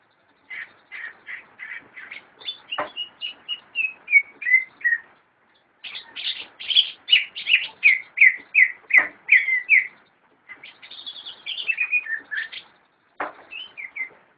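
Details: A captive cucak ijo, or greater green leafbird, sings three phrases of rhythmic descending whistled notes, each phrase a steady string of bright chirps followed by a pause, with a few sharp clicks.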